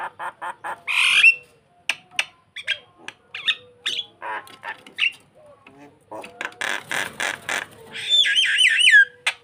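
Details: Starling luring a rival with a varied medley of clicks, short squawks and scratchy notes, then a burst of grating chatter and a closing series of wavering, looped whistles.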